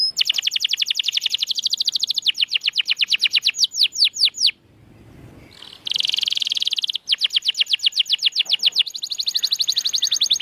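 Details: Canary song used to coax silent birds into singing: fast rolling trills of repeated notes, a brief pause with low rumble, a buzzy burst, then more rapid trilling.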